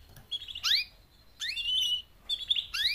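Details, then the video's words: Female canary mating calls, four birds, used to motivate males to sing; three bursts of buzzy trill ending in a steep rising sweep, roughly every second. "BEST mating call 4 females canary EVER to MOTIVATE your CANARY to sing LOUDLIER"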